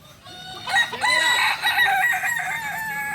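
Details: Kukuak balenggek rooster, a native chicken breed from Solok, West Sumatra, Indonesia, at a crowing practice: a loud, long crow with a wavering, multi-note broken tail lasting over two seconds, its harmonics stacked high.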